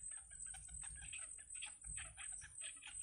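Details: Nestling yellow bitterns being fed by the mother bird utter scratchy chattering calls in quick clusters, with a constant thin high whine and low background rumble.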